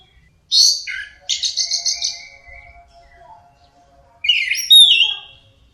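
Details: Orange-headed thrush singing teler style: a sharp, high scratchy note, a rapid trilled rattle, a lingering thin whistle fading out, then a loud strident phrase of squeaky, slurred notes, over a faint constant hum.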